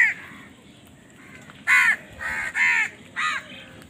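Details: Crows squabbling over food. After a quiet start with faint calls, four loud, hoarse caws follow in quick succession.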